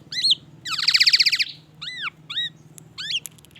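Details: Black-naped oriole singing vigorously in a repertoire that includes white-rumped shama imitation: a rapid buzzy trill, then a series of high, arched, chirping whistles and sharp clicks in quick, varied succession.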